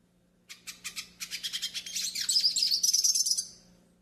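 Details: Yellow-faced siskin song used for pairing and warming up birds: a fast twittering run that starts with spaced chirps, then speeds into dense high trills and whistles for about three seconds.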